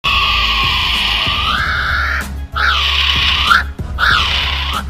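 Kiwi giving shrill, reedy whistles: one long drawn note that lifts midway, then two shorter arched whistles, over a steady low droning music bed.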